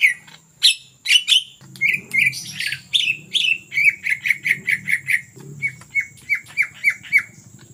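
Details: Excited greater green leafbird in ngetrok song, suited for luring: harsh chips and rich whistles give way to a crisp, regular run of short falling notes repeated roughly three times a second, over a low background hum.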